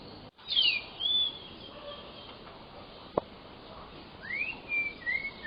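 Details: Sparse whistled phrases from a white-rumped shama singing in the 'full isian' style: a sweeping high slur and a level whistle, a gap with a single click, then two rising whistles followed by a flat one.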